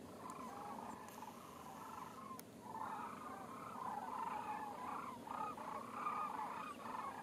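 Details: Sandhill cranes in full chorus, many rolling trumpet-like calls overlapping and swelling louder in the second half, with a few sharp clicks early on.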